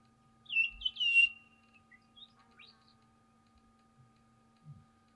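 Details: Pink cockatoos, Lophochroa leadbeateri, a group feeding in eucalyptus in the Mallee near Patchewollock, Victoria; wavering, quavering calls around one second in, then quiet with faint scattered sounds.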